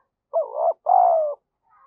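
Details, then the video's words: Close, loud double coo of a spotted dove kept as a decoy to lure and stimulate others: a rising, wavering first note, brief pause, then a sustained mellow second note drifting lower before stopping. "chim cu gáy mồi gáy thúc và gù, chim cu gáy kích bổi rất nhanh nổi bổi nghe nhanh gáy về nhanh"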